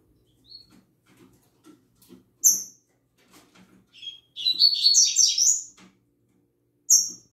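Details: Double-collared seedeaters kept in cages, singing at dawn: scattered thin high notes and a sharp whistle over low tapping, then about one and a half seconds of dense, rapid, high twittering song, ending with another sharp whistle.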